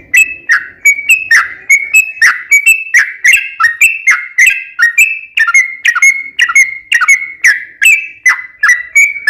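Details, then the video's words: Yellow-vented bulbul in energetic lure song for prompting other bulbuls to answer: a fast, unbroken run of bright, bubbling whistled notes, each sharply struck and gently sliding. "KICAU SUARA trucukan gacor ROPEL PANJANG pancingan trucukan agar bunyi"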